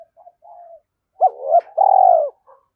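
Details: Cooing spotted dove used as a lure for wild doves, in the thổ sấm voice style: soft short notes and a thin coo lead into a loud rising note and a long, slightly falling purr.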